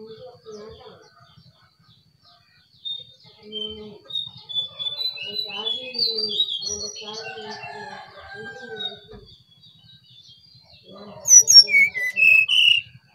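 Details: Brown-chested jungle flycatcher from Bali. Soft, low warbled notes and scattered chirps give way near the end to a loud burst of high, clear whistles that descend in pitch.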